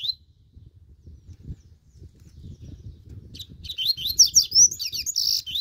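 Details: Warming-up double-collared seedeater: after quiet, a dense two-second burst of high, buzzy sweeping notes, with low background noise.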